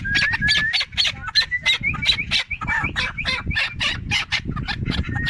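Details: Four-year-old hand-reared Chukar partridge in Tajikistan, 2021: rapid loud series of harsh broadband chuck notes, about three per second, somewhat uneven, with a thin steady whistled tone running beneath and low rumbling background.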